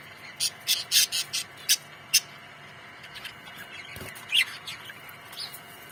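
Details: Budgerigars in a colony giving a run of sharp clicky chirps in quick succession, then softer warbled notes, with a steady faint tone behind.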